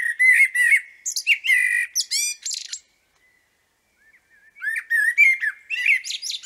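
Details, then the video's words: A background blackbird singing in Liepāja, Latvia, in May 2024 gives two bursts of song: low, mellow fluted warbles breaking into squeaky, high twittering, separated by about a second of quiet. "Fona balss: MELNAIS MEŽA STRAZDS"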